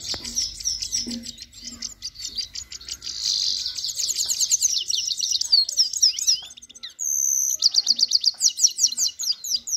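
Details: Male and female European goldfinches kept as a pair, singing a fast, busy run of twittering, buzzy and tinkling notes high in pitch, with rapid trills and brief pauses, continuing almost without break.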